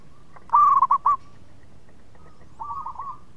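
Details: Local zebra dove singing melodiously to draw other doves into song: a sharp, rapid string of four or five rolled coos, then after a pause a quieter cooing reply further off.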